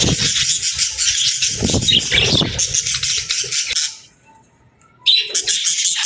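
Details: Happy, friendly pet budgie singing: a loud scratchy warble runs for nearly four seconds, breaks off into near silence with faint tones, then resumes abruptly.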